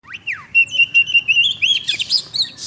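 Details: Oriental magpie-robin in vigorous song: a quick downward-sweeping whistle, then a run of sharp, clear whistled notes on one pitch, ending in a burst of fast, high, twisting phrases.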